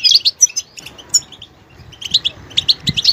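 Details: Brief burst of goldfinch twittering: a cluster of sharp high notes, a near-silent pause, then another quick run of chirps with a soft low thump near the end.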